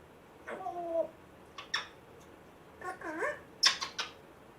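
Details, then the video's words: Pet African grey parrot rescued a month earlier and known to copy a squeaky door and a Chihuahua, giving thin squeaks and whiny, wavering sounds over room hiss. "Hilarious African Grey parrot talking, funny weird sounds"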